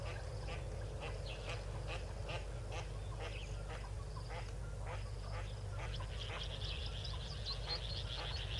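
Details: Yellow-billed duck accompanied by six ducklings at Tau Waterhole, 12 February 2022, 4 PM: scattered short rasping quacks, then a run of high, thin, twittering peeps near the end, over a steady low background hum.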